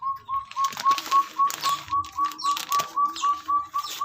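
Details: Javan Hill-partridge, locally called puyuh gonggong, a quail endemic to West Java, calling in the background of a garden: clear whistled notes on a steady pitch, repeated evenly about four times a second, with clattering handling noises on top.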